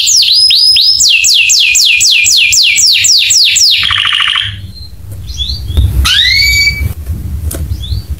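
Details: Canary song used to prompt other canaries to sing: a series of bright falling whistled notes about three per second, a short buzzy trill, then scattered upslurred chirps over low background rumble.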